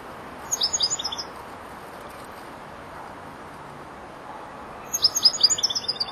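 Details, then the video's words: Young European goldfinch, four months old, starting to round off its song phrases: two short bursts of rapid, twittering high notes separated by a long pause, with constant background hiss. "jilguero el estudiante rematando"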